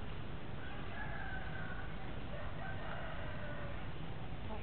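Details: A red junglefowl crows a drawn-out, rising-then-falling call lasting a few seconds over heavy low rumbling background noise; a wild junglefowl creeping up to approach domestic chickens.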